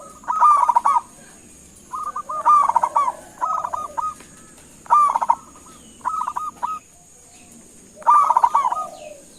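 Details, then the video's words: Zebra dove, a local Indonesian bird, giving a lure call to get other doves to respond: repeated phrases of quick trilled coos followed by short spaced notes, about every two seconds, with a thin high hiss behind. "Suara Panggilan Perkutut LOKAL Gacor sekali dengar langsung NYAUTIN"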